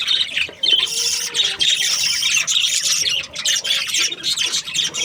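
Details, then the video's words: A chorus of happy budgerigars from breeding pairs: high, buzzy, continuous twittering and squawking with many birds calling over each other, barely pausing. "Happy budgie chirping sounds | breeding pairs"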